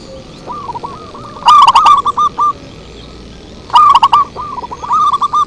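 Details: Zebra dove lure call: softer cooing phrases alternating with two loud, crackling, distorted bursts of fast rolling coos.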